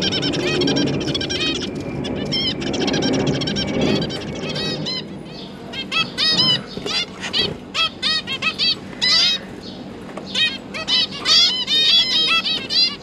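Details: Zebra finch family of two parents and three juvenile babies just out of the nest, parents busy feeding them; dense chorus of short nasal, honking beeps, overlapping and repeated in fast irregular bursts, with low murmur early on.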